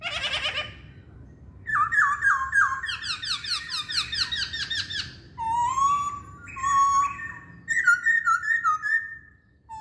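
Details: Chinese hwamei song: a harsh opening note, then a long run of rapid slurred whistles, followed by mellow lower whistles and sliding phrases, with brief silences between sections.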